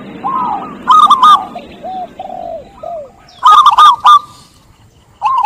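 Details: Lure song of a zebra dove (perkutut) to prompt a lazy dove to sing: a bright burst of quick hooked coos, then soft low drawn-out notes, the burst returning after a pause with sharp clicks.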